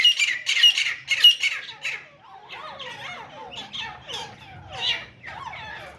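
Grey francolin giving harsh, high squawks about every half second, then a run of lower, wavering chattering notes.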